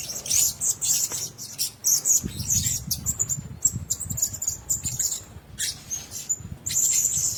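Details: Blue-crowned hanging parrots kept together in one cage, giving a dense stream of very high, thin, squeaky chirps in quick overlapping bursts, with soft low rustling and fluttering beneath.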